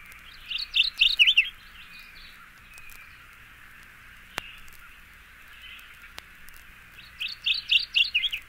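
Mourning Warbler singing two short bursts of five or six rich, chirping notes, delivered quickly at a bright mid-high pitch, about six seconds apart, over a steady hiss.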